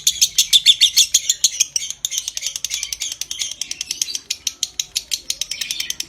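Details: Lovebird in a long konslet ngekek trill used as a training recording to stimulate breeding: dense scratchy high chatter pulsing steadily, with a brief dip near the middle before resuming.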